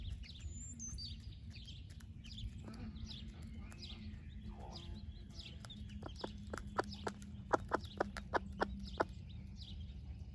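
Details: Baby chicks peep in high, wavering notes early on. Then their broody splash laced red Wyandotte mother sharing breakfast gives a run of sharp, regular clucks in the second half. Low rumbling background.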